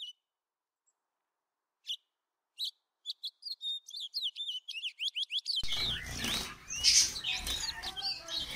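Society finch giving a high, rapid series of short chirps and buzzy notes that speed up into a jumbled twitter, with other finch chatter and background noise at the end.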